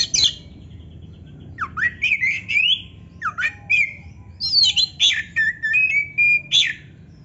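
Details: Energetic Oriental magpie-robin song meant to rouse breeding drive and rivalry in reluctant singers: separated bursts of sweeping whistles, rising slurs and scratchy notes, spread over about seven seconds against a quiet low hum.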